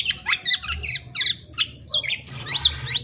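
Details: Black-naped oriole giving rapid, scratchy chatter. Squawky notes come densely in quick succession, ending with a couple of clear rising-then-falling whistled slurs. There is a faint low background hum.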